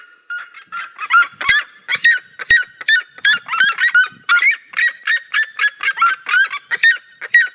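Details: Red-legged seriemas of the Brazilian cerrado duet in loud, harsh, yelping notes, about two per second, overlapping into a steady barking chorus with no other sounds behind them.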